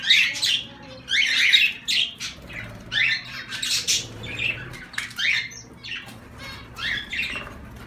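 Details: Zebra finches giving repeated short nasal honks and buzzy notes, roughly forty a minute at an uneven pace, with faint background chatter between bursts.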